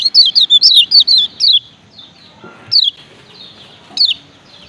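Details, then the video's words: Male lemon-bellied white-eye, Lombok, opening with a fast series of about seven sharp, high downslurred 'ciak' chirps, followed by two isolated single chirps after a pause. "Ciak Ciak Kecial Kuning BERINA JOSS JANTAN"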